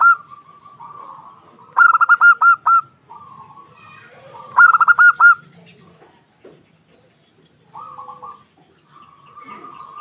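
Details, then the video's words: Answering calls from a female local zebra dove. Two loud phrases of rapid clipped coo notes come about three seconds apart, with quieter purring coos before, between and after them. "PERKUTUT BETINA SUARA PEDAS SEKALI MENDESAH PERKUTUT SETERAS NYAHUT SEMUA"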